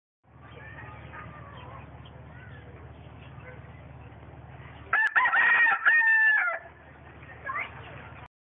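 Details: A white rooster crowing: after quiet background hum, one loud cock-a-doodle-doo of about a second and a half with a long level final note, followed by a short fainter call.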